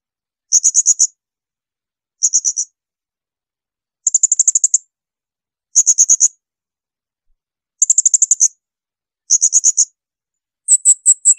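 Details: Blue-crowned hanging parrot giving shrill bursts, used to tutor songbirds such as magpie-robins: seven rapid trains of piercing, very high pulses, each under a second, spaced one to two seconds apart, with silence between.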